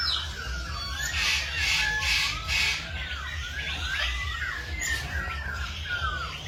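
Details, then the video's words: Morning birdsong from many birds at once: curved whistles and harsh squawks tumble together in quick, irregular bursts, with a constant low hum underneath. "Tiếng Chim Hot Vào Buổi Sáng"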